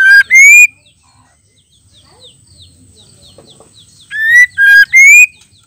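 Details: Female white-rumped shama calling to provoke males into singing: loud, harmonic whistled notes, a steady note then a rising one, given twice with a long pause between, the second time as three notes. Faint soft chirps and a thin high tone fill the gap.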